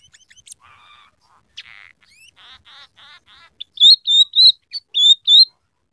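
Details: Emprit peking, the scaly-breasted munia, singing a medley with coarse canary-type elements: scattered chips and buzzy bursts, then a string of loud, slightly rising whistled notes in short bursts.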